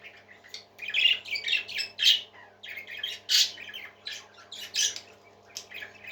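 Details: Parakeets call indoors in a steady flow of harsh, squawky chirps and grating chatter notes, fairly even in loudness, over a soft constant hum.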